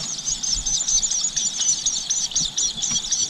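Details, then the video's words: Baby birds chirping in the nest while their mother feeds them: a continuous, shrill, high-pitched chorus of overlapping chirps with no breaks, rising and falling slightly in loudness. "Baby Birds Chirping Sound"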